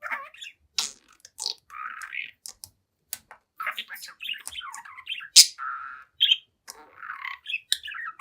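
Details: Seven-month-old pet budgie talking and singing at its mirror, delivering a run of chirps, creaky buzzy notes and mimicked syllables broken by brief pauses, with loud sharp clicks and ticks between phrases.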